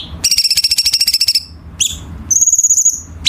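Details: Chinese bulbul training song for competition birds, with sharp, tight rough filler notes: a fast, evenly pulsed rattle lasting over a second, a short double note, then a high, thin, level whistled trill.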